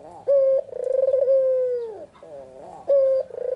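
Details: Barbary dove, white with red eyes, in afternoon song: a brief clean coo, a long rolling croon sliding down, a soft wavering note, then the phrase starting again.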